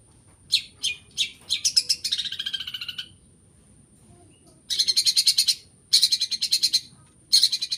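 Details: Long-tailed shrike song of mimicked birdcalls: scattered sharp notes building into fast pulsed rattles, then a pause and three bursts of quick buzzy pulses, each under a second long, with a steady high tone.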